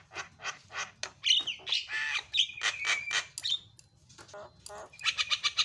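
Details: Javan myna in full, lively song, played to get other mynas singing: harsh squawks, rapid clicking bursts and sharp chirps run together, with a few short whistled notes near the middle and a quick train of ticks at the end.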